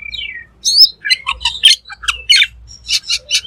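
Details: Black magpie in full song for a songbird training recording: a falling whistle, then scratchy squawks and chattering phrases over a low background rumble.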